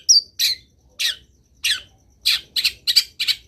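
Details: Long-tailed shrike singing vigorously, full of varied phrases: a thin high whistle, then harsh, buzzy chattering notes that come slowly at first and then quicken into a burst near the end.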